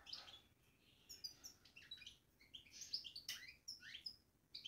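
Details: European goldfinch kept in a cage, babbling in a run of rapid, high, scratchy chirps and sharp tinkling notes that come in uneven spurts, over a faint background hiss.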